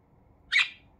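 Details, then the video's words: A single brief, scratchy chirp from pet budgerigars kept indoors, early in the morning during a happy morning routine, with a quiet room behind it. "happy sound for Budgies"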